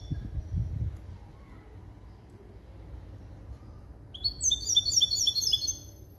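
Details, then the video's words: Cross between a male goldfinch and a female canary, singing a limpio style composed from goldfinch base calls. After a quiet stretch, a high, quick run of repeated chirping notes, about four per second, lasts nearly two seconds. "CHANT DE MON HYBRIDE JILGUERO ET CANARI"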